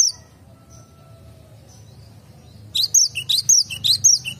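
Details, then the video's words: Cinereous tit in a garden gives bright, high, rapidly repeated chirping notes, about two per second, after a quiet opening with faint distant calls and low background hum. "BURUNG GELATIK BATU SUARA IMUT"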